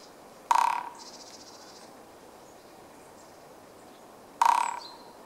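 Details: A Japanese pygmy woodpecker drums on 8 March 2014: two short, rapid hollow rolls, each under half a second, about four seconds apart, with a faint high buzz after the first; drumming seemed somewhat slower than usual.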